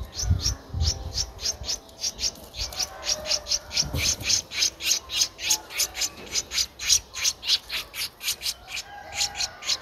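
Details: Streak-eared bulbul nestling, 12 days old, recorded in Ubon Ratchathani, Thailand, on 14 April 2023: a steady run of short, harsh, raspy high notes, roughly two per second, with a faint low rumble beneath.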